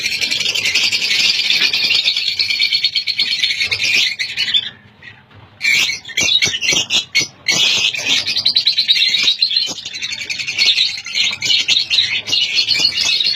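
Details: Lovebirds in a breeding colony making a constant loud chorus of high harsh chattering and squawking calls, briefly dropping out near five seconds, with clicks and knocks throughout.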